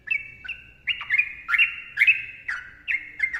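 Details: Sooty-headed bulbul in long, dense chattering song, bubbly whistled notes near two to three kilohertz repeated about twice a second, each note starting with a sharp click.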